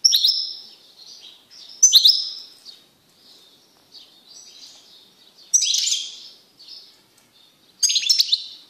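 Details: Male goldfinch kept in a cage sings loudly after being removed from a female canary: bright tinkling twitter phrases with sharp high chirps, repeated every two to three seconds, softer notes between.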